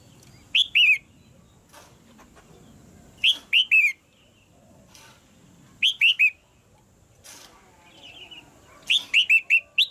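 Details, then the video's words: Caged female red-whiskered bulbul calling to push the male into singing harder: short bursts of two or three bright, high, downslurred whistled notes about every three seconds, in otherwise quiet surroundings. "เสียงนกตัวเมียในกรง กระตุ้นให้นกตัวผู้ร้องหนักขึ้น"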